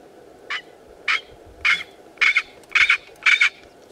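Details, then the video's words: Southern black korhaan standing on a rock in a field, defending its territory with six harsh, rasping croaks about every half second, later ones doubled and louder, over low wind rumble. "Southern Black Korhaan Defending his territor"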